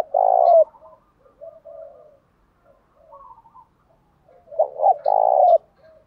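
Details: Spotted dove song to goad rival doves into fighting. A long rolling coo opens, soft distant coos follow, then a stuttering double coo and another sustained purring note.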